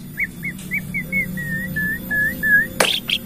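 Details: Bornean white-rumped shama lure song, used to coax other shamas into singing; a run of about nine clear slurred whistles at an even mid-high pitch, roughly three per second, ending in a sharp click and brief high notes.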